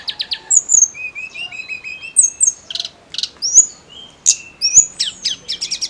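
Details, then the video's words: Snowy-browed flycatcher in full, steady song meant to excite SRDC and oriental magpie-robin birds; rapid mix of sharp high chips, thin whistles and short trilled bursts, delivered in lively back-to-back phrases over faint background noise. "KICAU TLEDEKAN GUNUNG GACOR"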